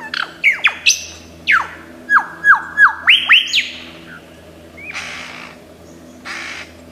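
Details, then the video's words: Australian forest lyrebird, noted for vocal mimicry, singing a string of loud downward-whipping whistles roughly three per second, a high level whistle, then softer scratchy bursts after a pause. "Tembakan Lyrebird gacor 1001 macam suara"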